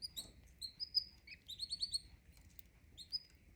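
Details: Canary song of varied high whistled phrases, with quick rising chirps, a fast trill of repeated notes in the middle and a single clear whistle near the end, over a low steady hum.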